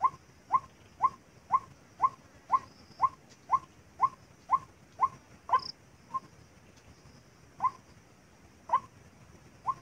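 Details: White-breasted waterhen call played as a trapping lure: a steady series of short, hoarse mid-pitched notes repeated about twice a second, fading into slower, irregular notes near the end.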